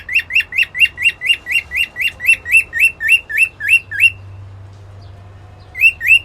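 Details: White-faced and lutino cockatiels meeting; a rapid run of rising, chirpy contact calls, a pause, then more.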